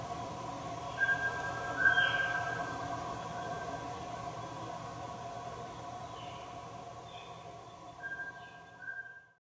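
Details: Mountain scops owl, Taiwan endemic subspecies, recorded at Meinong, Taiwan, 3 September 2020: a paired whistle early, a long quiet stretch with faint hiss and hum, then another two level whistles near the end.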